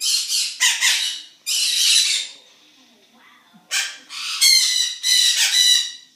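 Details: Morning at a zoo with noisy birds: several harsh screeches in a quick cluster, then a pause of about a second, then another run of grating squawks.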